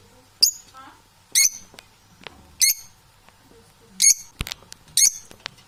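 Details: Unbalanced domestic parrots kept indoors give five harsh, rasping squawks roughly once a second, irregularly spaced, with soft clicks and rustles in between.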